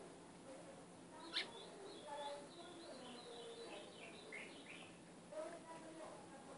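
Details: Ultramarine grosbeak song played to train a caged capped seedeater: faint, sweet warbled phrases of slurred high notes, some dropping in pitch, in a run lasting a few seconds, with a sharp click near the start and a steady low hum.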